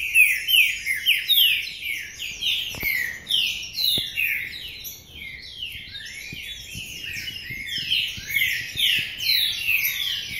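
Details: Green-winged saltator singing Paraná-style song from a covered cage: dense run of quick descending and rising whistled notes, near-continuous, dipping briefly midway, with a few faint clicks beneath.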